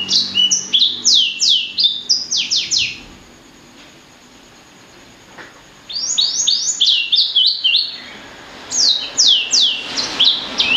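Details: Hybrid blacksang bird (blackthroat crossed with sanger) delivering fast strings of high, sharply falling whistled notes, then falling silent for about three seconds before two more energetic bursts.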